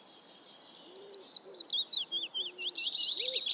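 Eurasian reed warbler singing a fast, scratchy chatter of high notes, each short figure repeated two or three times before shifting, with faint low cooing notes underneath.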